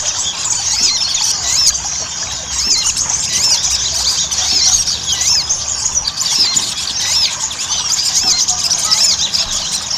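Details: Ruby-cheeked sunbird chatter used as a lure to make kept birds sing: a long, busy stream of high twittering with curved whistled notes repeated about every two seconds, several voices overlapping.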